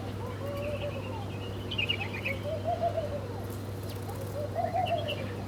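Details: Birds feeding at breakfast: soft low arched coos recur every couple of seconds beside thin higher twittering notes, all over a constant low mechanical hum.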